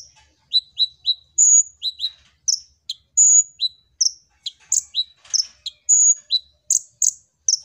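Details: Kolibri ninja (Van Hasselt's sunbird) in full song as a lure for training birds: rapid runs of bright, high chirps mixed with sustained piercing whistles and clipped notes, delivered almost without break.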